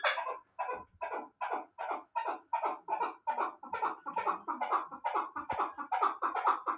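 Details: Young chukar partridge from Bartang, Pamir, hatched last year and kept as a fine hunting partridge, calling a loud rhythmic series of harsh chuk notes, roughly two a second, evenly spaced and building slightly toward the end.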